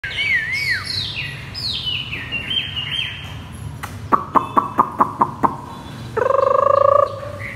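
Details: Chinese hwamei singing on the ground, with slurred whistles and falling notes, then a fast series of sharp repeated notes and a harsh buzzing burst near the end.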